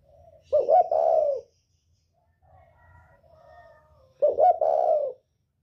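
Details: Spotted dove of the northern type with the 'còi bổi' voice, a call used to provoke other birds: two loud, low, hoarse cooing phrases about three seconds apart, with faint softer notes in between.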